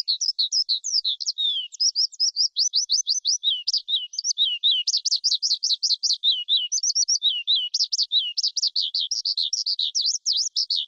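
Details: Long, breathless skylark outpouring of high trills, rattling bursts and jumbled chirps over about eleven seconds, pitch constantly shifting, with nothing else audible.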